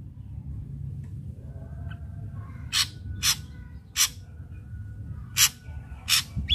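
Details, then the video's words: Singing captive ashy drongo, used to prompt untrained drongos to sing: a series of five or six rasping, broadband bursts roughly every half second to second, with faint background hum. "Srigunting Abu Abu Gacor PALING DIMINATI Untuk Pancingan Srigunting Bahan AGAR CEPAT GACOR"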